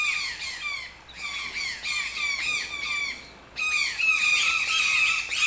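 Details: Toucan delivering a rapid, almost continuous run of harsh, falling squawks that dips briefly, then returns louder and denser.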